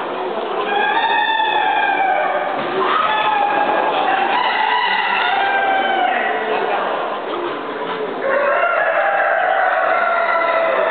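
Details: Many Utrerana chickens at a Spanish national poultry championship call over one another in a steady, crowded chorus of drawn-out, nasal squawks and clucks, with a faint murmur of people in the background.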